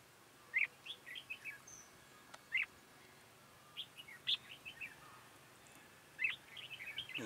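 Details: Red-whiskered bulbul singing during trapping, recorded 1 October 2018: short bright whistled notes in quick clusters, bursts recurring every couple of seconds, with a single sharp click midway and a quiet background.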